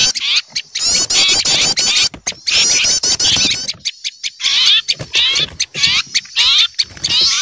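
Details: Noisy small birds scared at seeing an owl, a lure recording: bursts of sharp high chips and chattering twitters from several birds, the calling thinning briefly mid-way before rising again.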